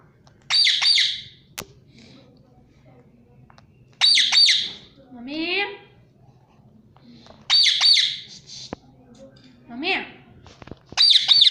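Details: Pet ringneck parrot, a rose-ringed parakeet, gives loud harsh screeches about every three to four seconds, between them lower rising, speech-like sounds, in a quiet indoor room.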